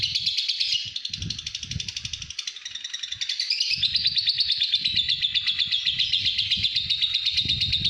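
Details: Long ngekek of a pastel green fighter lovebird at home: a continuous high chattering trill that softens briefly near the middle, then swells louder and keeps going, with low bumps and rumbles below.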